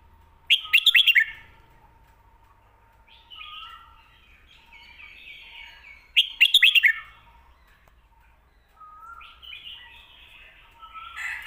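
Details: Caged Red-whiskered bulbul song used to teach young birds, with a short bright burst of rapid whistled notes repeated twice about six seconds apart, softer chattering warbles between, and a faint steady low hum.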